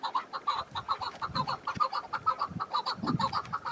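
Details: Wild chukar partridge calling in mountains in spring with patchy snow, on a windy day: a rapid run of short, clucking chuk notes, about two per second, with low wind rumble beneath.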